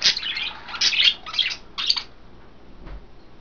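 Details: Pet budgerigars bathing in a cage indoors, a rapid flurry of raspy chirps and warbles that stops abruptly, leaving near silence with a faint low thump.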